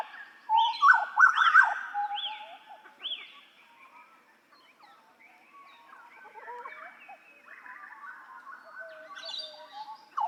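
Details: Hooded butcherbird singing on a songbird training master: rich fluting whistles with a run of four repeated upward-arching notes, followed by quieter varied warbled phrases and a sharp note at the end.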